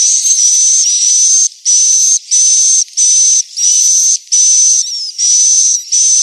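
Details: Swiftlet roosting lure, played to draw young and adult swiftlets in to roost: buzzy, hissing bursts with a steady high whistle running through each, repeated about one and a half times a second with short silent gaps.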